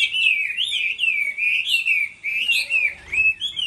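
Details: Chinese hwamei singing in a singing contest during the moulting season: a loud, continuous run of fluid, warbled whistles that swoop up and down, with brief pauses between phrases.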